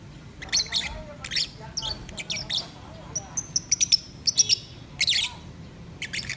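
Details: Singing pet lovebirds give squeaky, high chirps and short chattering notes, spaced unevenly, with a few thin whistled tones in the middle and a soft background murmur.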